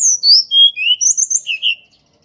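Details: Blood-breasted flowerpecker song, natural recording used as a lure to prompt birds that rarely sing: a quick run of very high, thin whistled notes, several slurring downward, then softer sibilant notes fading out after about two seconds.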